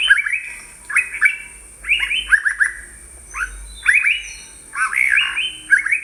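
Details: Yellow-browed bulbul from Sri Lanka calling in repeated bursts of clipped, slurred chirps roughly every second. Short pauses separate the groups, and a faint high hiss runs beneath.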